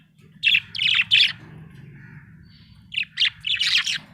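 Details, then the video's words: Happy budgie chirping: three loud scratchy chirps, a pause with a soft whistle, then four more quick chirps rising into chatter, over a low hum. "Happy budgie chirping sound"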